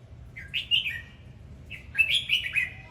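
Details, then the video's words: Red-whiskered bulbul singing with its dance display, the hót múa: two lively phrases of warbled, chattering whistles about one second apart, the second fuller and longer. "Chào mào hót múa"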